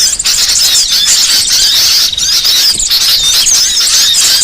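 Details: Short burst of burcil song meant for training songbirds, loud rapid high-pitched chattering with thin whistled slurs, continuous and intense.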